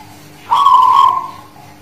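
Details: One cooing phrase from a singing (manggung) Zebra dove of the Guling Murio type, Muria mountains near Kudus: a short hiccuping start and a warm, rolling, slightly wavering coo lasting under a second.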